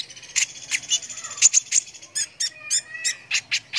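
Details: Brown-throated sunbird in full, active song, used as a master recording for contest birds: rapid high, thin chirps and sharp tinny notes in quick bursts, with a few brief buzzy strokes.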